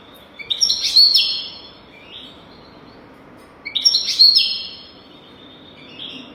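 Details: Goldfinch song meant for training young goldfinches to sing: two matching phrases about three seconds apart, each a quick burst of liquid, tinkling twitters and buzzy trills that trail off into softer notes.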